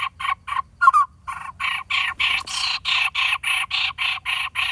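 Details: Lineated barbet nestling near fledging in a dead durian tree hollow, screaming for its parents to bring food; harsh notes starting sparse, then speeding into a steady rapid series of loud rasps.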